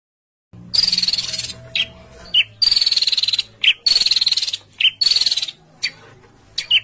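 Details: Songbird giving coarse 'besetan kasar' notes, a training recording for house and contest birds: four long, loud, fast-rattling buzzy bursts, each with a thin high whistle running through it, separated by short rasping chips, over a low hum.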